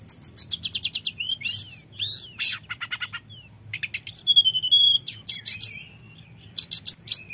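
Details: Common iora lure song, rolling and flute-like, meant to excite rivals: a rapid stuttering series of high chips, swooping slurred notes, a held whistle, then more short chip bursts.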